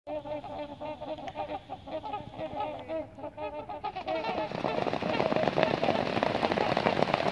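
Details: Group of trumpeter swans taking off at sunset, giving repeated nasal, brassy honking calls at a rapid pace; after about four seconds a loud, broad rush of wingbeats and splashing builds up and swamps the calls.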